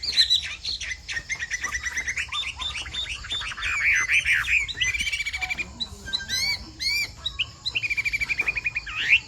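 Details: A Chinese hwamei sings in the bộ tam hoàng style, an unbroken, rain-like stream of varied whistles: warbled phrases, sharp upward sweeps, and a fast rattling trill of repeated short notes near the close.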